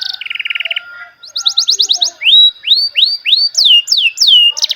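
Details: Melodious canary song: a lower rapid trill, a pause, a quick ascending series of sharp high notes, then repeated upward-curving whistled phrases roughly every half second ending in another trill.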